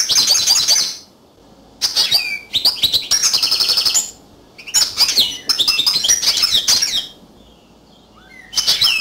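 Yellow canary song in bright, high bursts of rapid trills and twittering phrases, each a second or two long, broken by short pauses.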